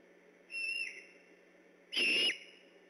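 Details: Great horned owls calling at night near the Decorah eagle nest, 3 October 2015, on alert. Two clear, high whistled notes about a second and a half apart, the second louder and slightly shorter, over a steady low hum.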